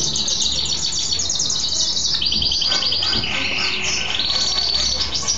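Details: After bathing, a male mule goldfinch sings busily: rapid high rattling trills shift into steady, level trilled phrases at a slightly lower pitch, with almost no gaps.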